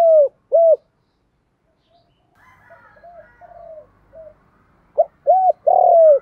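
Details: Lure spotted dove cooing to attract other doves. Loud arched coos open and close the clip. Fainter, softer coos from farther away fill the gap between them.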